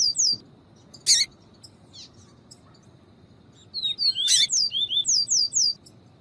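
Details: Viviti-style Double-collared seedeater song alongside female calls meant to excite the male: opening whistles, loud isolated chips, then a long rapid sequence of high downslurred whistled notes with one sharp chip inside.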